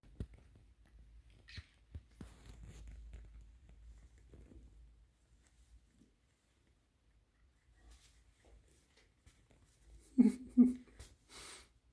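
Quiet indoor room with soft rustling, light tapping and a couple of louder thumps near the end, with no animal voice.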